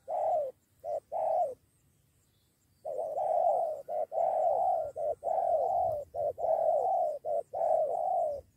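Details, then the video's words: Spotted dove lured toward a decoy, bringing a companion to fight it; two opening coos, a short pause, then a steady run of clipped-and-drawn-out cooing pairs, rough-toned and evenly loud. "Burung ini Ajak teman melawan pikat"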